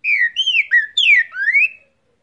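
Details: Pet cockatiel copying the trinca-ferro (great thrush) song in a bright whistled phrase of five slurred notes. Downward sweeps alternate with upward ones, and the last note rises clearly.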